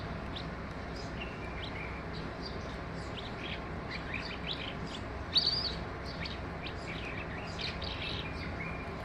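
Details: Skylark singing in full voice: an unbroken stream of quick, high chirps, trills and twittering notes that runs through the whole recording, with one brief louder, sharper note midway, all over a steady low hiss of background noise.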